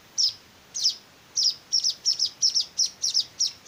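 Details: Begging weaver nestlings being hand-fed: a few spaced high chirps that speed into a quick series of bright, doubled notes, about three a second.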